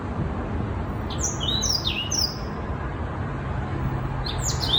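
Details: Young black-throated canary, six months old, singing: a short cluster of high, quick downslurred chirps, then silence and another brief burst at the end, over a steady low background rumble.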